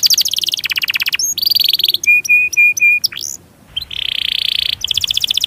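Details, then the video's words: Rolling canary song, a master meant to stimulate lazy canaries: quick high trills, a few short level whistles, a brief pause, then a dense buzzy roll and renewed rapid trilling. "Masteran Suara Burung Kenari Ngerol Panjang Cuit Cuit emosi"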